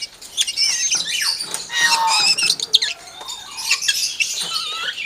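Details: Common hill myna copying chicken sounds: dense scratchy warbling with sliding whistles and short squeaks, moderately loud throughout.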